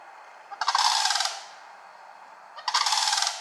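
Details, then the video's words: A family of sandhill cranes foraging and calling in Kalamazoo, Michigan, on 11 July 2018: two loud, rolling, rattling calls, each about three-quarters of a second long and two seconds apart, over a quiet background. "Sandhill Cranes family foraging and calling"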